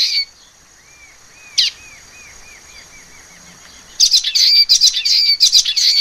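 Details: Common waxbill (Estrilda astrild) singing: a burst of sharp, buzzy high chirps with a strong note near the start, a faint run of soft arched notes, then a dense chattering phrase of rapid high notes in the last two seconds.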